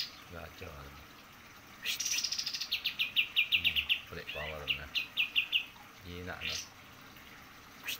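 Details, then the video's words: White-eye, described as a lively, prolific singer, delivering rapid high-pitched trills of repeated sharp notes in several bursts, with a softer chattering phrase between them. Faint low background noise and a trickle of water sound underneath. "kapas tembak gacor"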